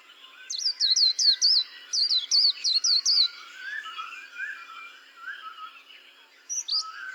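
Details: White-eye song with a quick series of about twelve high, piercing down-slurred notes in two bursts, then softer, lower warbling whistles and a brief high note near the end.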